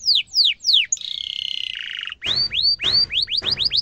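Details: Canary singing sharply for training young birds: three falling whistled notes, a sustained buzzy rolled trill, then a series of rising curved whistles with some low background rumble.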